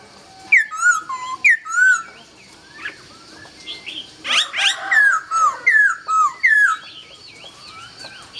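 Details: Dawn song of a laughingthrush: loud clear whistles, each starting high and dropping in steps, delivered in a quick run of about ten phrases with brief pauses between groups.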